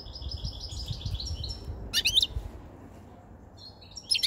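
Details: European goldfinch song from a caged white-chinned male, caught five months ago, with spring and breeding season near: rapid, chattering, tinkling notes, a loud twittering burst midway and another at the end.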